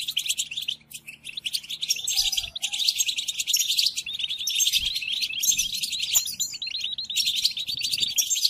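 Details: European goldfinch song used to tutor captive goldfinches, played to them during moult: dense, rapid tinkling twitter of high liquid notes and buzzy trills, almost continuous with brief pauses near one and four seconds.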